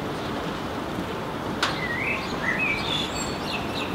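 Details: Blackbird singing during rain, giving a brief run of fluty whistled notes with slides up and down, set against constant rain hiss and a single sharp tap.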